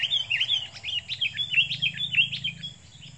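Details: Sooty-headed bulbul kept as a decoy bird, reacting while fighting a wild bulbul: a continuous rapid chatter of harsh, slurred notes swooping up and down at a high pitch, running for about three seconds before fading.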